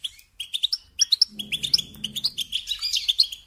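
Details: Singing European goldfinch kept in care: quick chirps and tinkling notes in a steady jumble, a faint low hum beneath the middle section.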